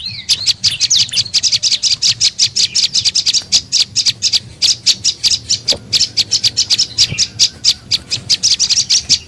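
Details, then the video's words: Tailorbird (prenjak lumut) lure call for attracting birds: opens with a rising slurred note, then a long, fast, harsh run of high chattering chirps. "SUARA PIKAT BURUNG PRENJAK LUMUT PALING AMPUH"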